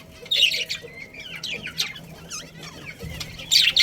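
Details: Budgerigars from a breeding pair in a colony: soft twisting warbled notes and chatter, framed by loud squawky chirp bursts at start and end, with a low hum.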